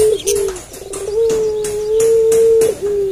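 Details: Barbary dove (puter pelung) at night giving short curled notes, then a long, smooth, unbroken coo held for about a second and a half, ending in a small hook.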